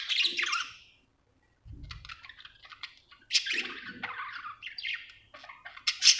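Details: Happy budgie chirps in short bursts, scratchy chatter and thin twittering notes broken by a brief silence and a soft low thump, ending in a loud sharp chirp.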